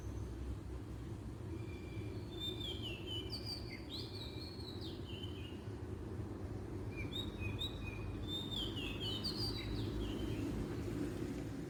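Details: Wild Oriental magpie-robin song: two bursts of varied whistled phrases with rising and falling slurred notes and brief trills, separated by a quiet gap, over constant low rumbling environmental noise.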